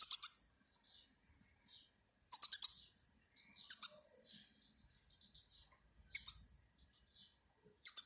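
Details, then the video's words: European goldfinch giving short clusters of three or four sharp, high twittering notes, each cluster separated by one to two seconds of near silence, with a faint thin whistle between. "щегол птица пение"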